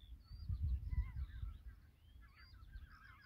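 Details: European golden plovers at Kogri village, Hiiumaa, Estonia: thin, slurred whistles rising and falling, several overlapping, over a steady low rumble of wind.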